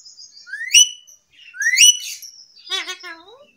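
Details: Talking parrot mimicking sounds: two rising whistled squawks followed by a harmonic-rich, speech-like warbling phrase, in a quiet room.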